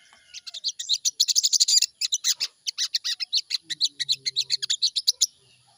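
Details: Sooty-headed bulbul heard in a morning lure to get birds singing: a dense chattering burst, then a steady series of quick high chirps, with faint low hum in the background.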